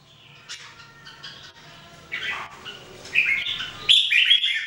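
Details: Three Red-whiskered Bulbuls (jambul) in daily singing training, recorded in 2018; bright, liquid whistled and warbling phrases that start soft and become louder and denser in the second half, over a faint low steady hum.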